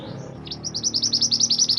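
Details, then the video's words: Songbird-training master song of the Mantenan gunung: one soft, low note, then a rapid, regular run of bright, high chirps that repeat steadily to the end. "Suara Kicauan Burung Mantenan Gunung"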